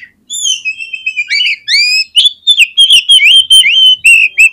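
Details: Vigorous oriental magpie-robin song, played to make other magpie-robins start singing: sustained sweet whistles leading into a rapid string of loud, repeated whistled notes.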